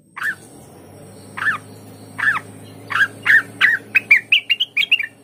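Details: Blue-winged leafbird. Spaced single harsh chirps speed up into a rapid series of higher, thinner warbled notes toward the end, over a faint low hum.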